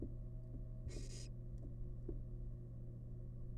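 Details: Young wild barn owl in a nest box while eating rabbit remains gives a single short, broadband rasping hiss, with a steady low hum and faint taps in the background.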